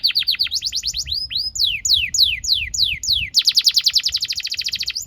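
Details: Canary song to teach young canaries: varied sweeping whistles rising and falling, slower spaced downslurs, then a fast burst of rapid repeated chirps.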